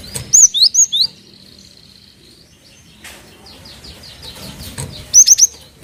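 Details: Cinereous tit lure recording for prompting other birds to sing: a phrase of four loud high whistles, a pause filled with faint twittering from other birds, then three more quick whistled notes.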